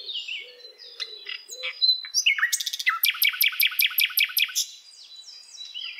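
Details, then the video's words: Common nightingale singing in varied, high chirping phrases: short whistles and slurred notes, then a loud run of rapid, evenly repeated sharp notes lasting about a second and a half, followed by softer twittering. "Nightingale bird singing the beautiful sounds (chirping)"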